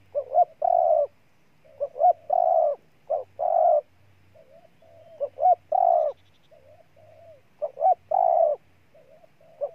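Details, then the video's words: Ninh Thuận, Vietnam spotted dove with a repeated cooing song. Brief stuttered notes build into a sustained, resonant coo several times. Gentle, faint coos fall between phrases, in calm surroundings. "Cu Gáy Ninh Thuận"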